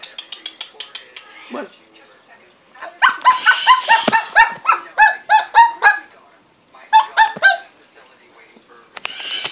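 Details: Captive umbrella cockatoo imitating a dog's barking: clusters of rough, harmonic bark-like yaps repeated rapidly in two bouts separated by a pause, with faint clicks and soft household noise around them.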